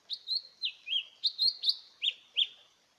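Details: Small green leafbird singing a fast series of sweet whistled notes, rising and dropping slurs given in quick clusters for about three seconds, with a quiet background.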